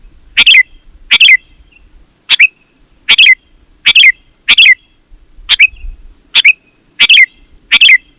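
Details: Sooty-headed bulbul song for calling other bulbuls: paired, liquid, downslurred notes repeated roughly every second, steady and loud, over faint low background noise.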